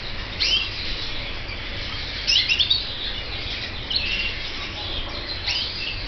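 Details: Red mosaic canary chicks give thin, high chirps in short bursts, about every one and a half seconds, over a steady background hiss.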